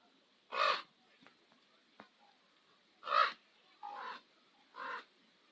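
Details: Common ravens at sunset on Nose Hill, Calgary: four harsh, hoarse croaks, two close together early, then three more spaced about a second apart, over a quiet background with faint ticks.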